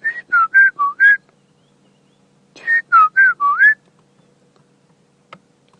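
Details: A white-browed scrub robin sings at sunrise in the dawn chorus on a cold morning on safari: two phrases of five clear whistled notes, each sliding up or down, about a second and a half apart.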